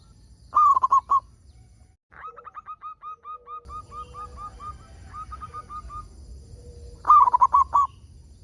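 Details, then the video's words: Local zebra dove singing, used to prompt other doves to sing: loud bursts of rapid cooing notes near the start and end, with a softer run of evenly spaced, short, repeated coos between them. "Perkutut Lokal Gacor Suara Paling Ampuh Untuk Pancingan Burung Perkutut Agar Bunyi"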